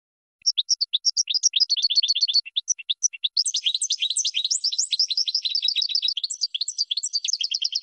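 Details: Goldfinch singing for birds to learn from: a rapid, liquid twitter that grows denser and more jangling halfway through, with tinkling high notes over buzzier lower ones. The background is silent.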